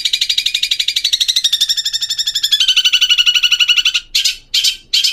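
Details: Long-tailed shrike song used as a master recording to teach young birds to sing: a fast rattling trill of harsh notes, about three per second, sliding down slightly, ending in three short buzzy bursts.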